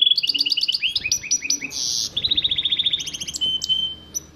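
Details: A goldfinch mule sings stepped series of chirps, a harsh buzzy burst, then a long run of rapid twittering notes and a few high sharp accents.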